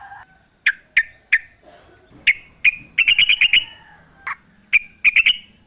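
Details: Sooty-headed bulbul in full natural song, used as a lure to get other bulbuls singing: bubbly, mid-pitched liquid notes given singly and in quick rattling runs, with a few lower whistled notes.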